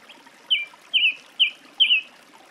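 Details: Song thrush singing one short whistled phrase four times, about twice a second. Each note slides downward with a slightly buzzy tail. The background is quiet.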